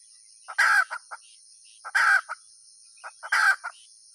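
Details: Hen giving three harsh squawks, each framed by a few short clucks before and after, about one per second and a half, over a faint constant whine.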